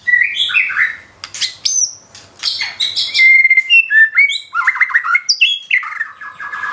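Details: White-rumped shama (murai batu) singing in the nembak style, gacor and rich in isian: a fast run of varied whistled phrases, rising and falling notes, high thin squeaks and sharp chips, with brief pauses between bursts.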